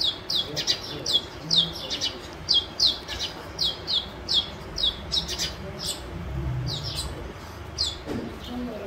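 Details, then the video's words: House sparrow building a nest in a house and fighting for the nest; steady run of loud, high chirps about two per second, tapering into softer, scattered chirps toward the end. "House Sparrow Making Nest in House - Sparrow Bird Fighting For Nest"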